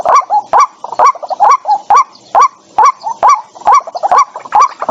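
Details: White-breasted waterhen lure call for trap speakers, 2023, free of background noise; loud rhythmic series of short harsh notes with a rising inflection, a little over two per second, separated by sharp clicks.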